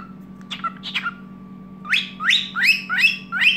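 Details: Cockatiel singing inside a room in the evening. A few soft falling chirps give way to a loud run of five rising, buzzy whistled notes in quick succession over low hum.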